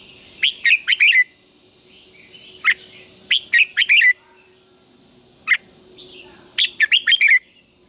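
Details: Red-whiskered bulbul in competitive song, used to train and stimulate other birds, gives bursts of three to five bright, liquid, chirpy notes a second or two apart over a steady high electronic-sounding hum.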